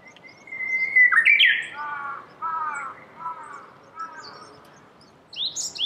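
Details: Japanese bush warbler in Saitama Prefecture, Japan, singing beside flowering cherry trees in March 2019: a steady whistled note swelling into an abrupt rich flourish, then softer lower warbled phrases, with a high call at the end.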